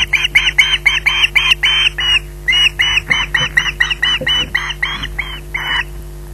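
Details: Squawking osprey at Loch Garten, waiting to be brought food, gives a long series of rasping squawks, about twenty in all, with one short pause midway. A constant low mains hum lies beneath.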